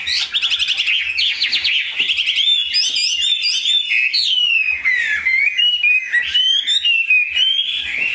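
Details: Caged Chinese hwamei opens with fast repeated trilled notes, then moves into clear rising and falling whistles and bright slurred phrases, singing loudly without pause.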